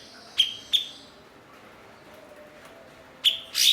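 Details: Master blue-winged leafbird, prized for copying other birds' songs, utters two sharp clipped notes, then a long quiet gap before two more rasping notes.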